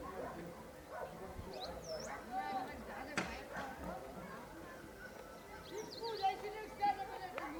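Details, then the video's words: Starlings chatter on a rooftop in Herbertsdale, Western Cape, South Africa, at sunset: a jumble of short whistles, squeaks and sliding notes, some high and thin, others mid-pitched, with a man talking over them. "You can hear some starlings having a conversation on this rooftop."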